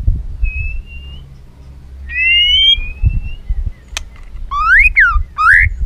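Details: White-rumped shama stimulated to sing in many voices, with tail flicking: long clear whistled notes, one level, then a rising slurred whistle, followed by quick sweeping up-and-down phrases, over low rumbling background noise.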